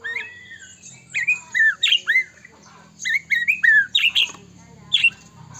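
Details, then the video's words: White-rumped shama in loud, varied song meant as a lure to make other shamas sing and get agitated: about ten bursts of rich whistles mixed with harsh, squawky notes, with short gaps between. "murai batu gacor"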